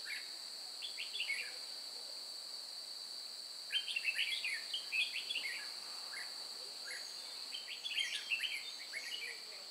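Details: During bulbul trapping at Chùa Hương on 9 May 2018, a red-whiskered bulbul gives fighting song: three separate bursts of fast, chattering whistled notes with quiet gaps, over an unbroken high-pitched insect drone.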